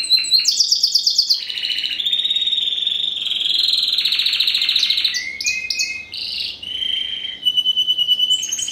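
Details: Spanish Timbrado canary crossed with wild-type canary, first generation bred in 2015, singing: rising opening notes, a long steady trill, varied chirps, then fast clicking rolls near the end.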